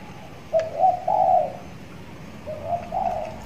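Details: Six-month-old trained spotted dove tied in a hanging cage, beginning to call frequently: two low cooing phrases, each a short note leading into a longer rolling coo, with a faint click between them.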